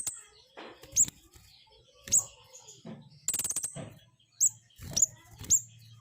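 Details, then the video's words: Flowerpecker giving sharp, very high, thin notes at irregular intervals, sometimes two in quick succession, between bursts of rapid high clicking; low hum and faint rustling behind. "SUARA BURUNG PENTIS RAJA GACOR"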